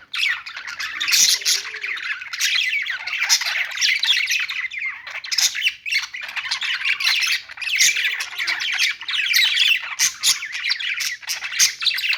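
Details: Several budgies keep up nonstop chattering song, with scratchy warbles, quick chirps and squawks layered over one another for twelve seconds.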